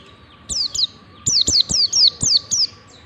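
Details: White-eye in the ngalas song style, played as a lure to teach white-eyes to sing: seven high, thin notes sweeping steeply downward, in two bursts with a short pause between, each note followed by a faint click.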